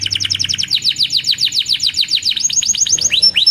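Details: Canary singing rapidly: an even stream of short descending chirps, about eight per second, ending with a few higher whistled swoops, meant to prompt young canaries to learn the song.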